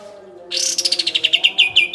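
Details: Songbird training audio of a kapas tembak: a bright rising sweep that breaks into quick staccato notes, slowing and dropping a little in pitch, with faint low humming tones behind.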